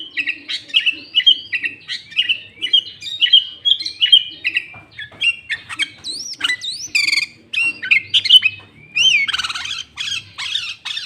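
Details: Lively sooty-headed bulbul song mixed with green leafbird phrasing, meant to make wild bulbuls noisy: a steady stream of quick chirped whistles, then looping rising sweeps and a rattling buzzy passage.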